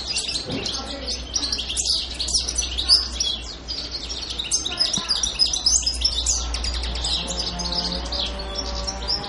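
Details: European goldfinch singing on Pantelleria island, dated 02/01/2011: rapid, jumbled high twitters and tinkling chirps in irregular bursts, with a brief pause near the middle and a soft low hum underneath.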